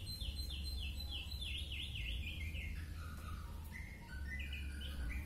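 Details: Oriental magpie-robin, a fit bird used as a song tutor, singing a quiet run of repeated falling whistled notes followed by lower varied phrases, over steady background noise.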